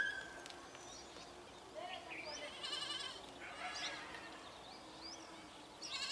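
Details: A flock of Brahminy starlings calling together: nasal, harmonic notes and quick rising chirps overlap in a busy chatter, with a short clear whistle near the start.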